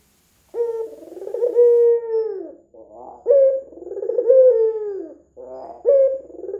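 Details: Red-eyed white ringneck dove, a frequent caller, recorded as a lure to set other doves calling. Rolling, throaty coos swell, then slide down into long sagging notes, repeating about every two and a half seconds.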